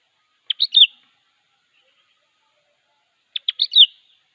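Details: A sooty-headed bulbul calls out a rival with two matching phrases about three seconds apart, each a quick run of clipped notes ending in a slurred, liquid whistle.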